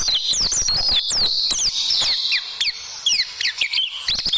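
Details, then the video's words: Oriental white-eye song in tembakan style, played to tutor caged birds: quick, high, downward-sweeping whistles in tight bursts, thinning out toward the end, with scattered clicks. "Masteran Burung Pleci Dan Tembakan"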